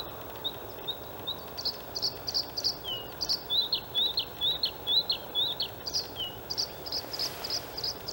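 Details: Male white-spotted Bluethroat singing from open perches in the outer reeds of the Halmstad harbour landfill, 6 May 2017, during a spring display. Brisk series of sharp, high ticking and whistled notes repeated about twice per second, steady and insistent, over light background hiss.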